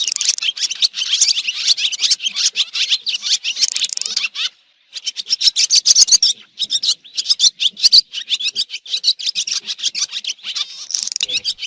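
Swiftlets give dense, rapid bursts of high, rasping chirps and twitters with brief pauses between bursts. No other sounds stand out.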